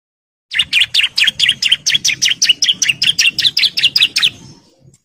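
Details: Male bar-winged prinia in breeding condition, calling females, delivers a quick, regular train of sharp chirped notes, about two and a half per second, for some four seconds, then stops.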